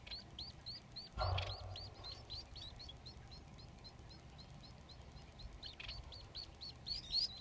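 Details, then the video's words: A nest of three Society finch chicks begs as the father feeds them. Steady, fast, high-pitched chirps repeat nearly four times a second, broken by a couple of soft thumps and rustles. "Society Finch Dad feeding 3 baby birds"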